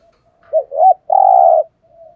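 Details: Spotted dove used as a decoy to stir up wild birds, giving one phrase: a clipped note, a rounded rising-falling coo, then a long, even, buzzy coo. The setting is quiet.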